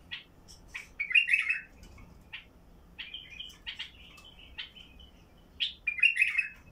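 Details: A White-eared (Basra) Bulbul with a heavy, deep voice, used to get other bulbuls singing, sings short, bubbly, chattering phrases in quick bursts, with brief pauses and some fuller, richer notes between them.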